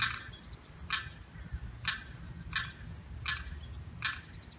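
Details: Distress calls of a young Limpkin separated from its mother by a fence, loud clipped notes repeated roughly once a second over a steady low background rumble.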